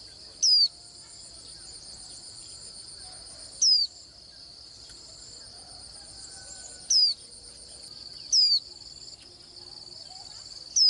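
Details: Swinhoe's white-eye giving thin, high, downslurred whistled notes, each about a quarter second long, five in eleven seconds at uneven gaps, over a steady high-pitched insect drone.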